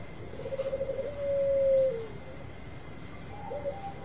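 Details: Long-voiced Bangkok zebra dove, sung as a lure to prompt other birds: a short rolling trill leads into a held, steady coo. A faint, shorter coo follows after a pause.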